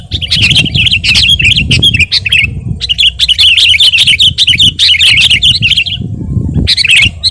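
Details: Sooty-headed bulbul in full vigorous song, recorded as masteran and lure material: long bursts of quick warbled chirps with a short pause near three seconds and another near six, low rumbling behind.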